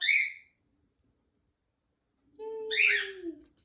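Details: Pet Indian ringneck parakeet indoors, trying to sing along with its owner: a short high squeaky whistle, a pause, then a bright whistled note over a lower sliding tone that falls away.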